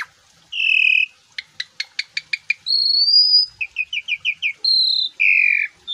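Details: Asian pied starling singing energetically, a full song rich in varied phrases: long pure whistles, a rapid run of sharp clicking notes, rising whistled slurs and quick trilled chirps, with clean quiet pauses between.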